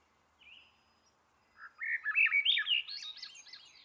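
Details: {'text': "Swainson's thrush singing: a brief high whistle, then after a pause a flute-like phrase of quick notes spiralling upward in pitch and fading at the end, in a quiet background."}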